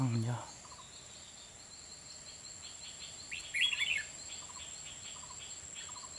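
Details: Decoy red-whiskered bulbul singing to draw wild birds toward a trap at Kim Bôi, Hòa Bình, Vietnam, on a late afternoon of 30 March 2021; one loud rippling warble mid-clip, constant shrill insect drone, and short clipped notes repeating in the background.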